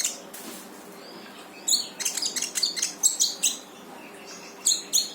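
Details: Brown-throated sunbird song meant to get a reluctant bird singing: a lively run of rapid, sharp, high-pitched chirps in close bursts, a brief pause, then two more piercing notes.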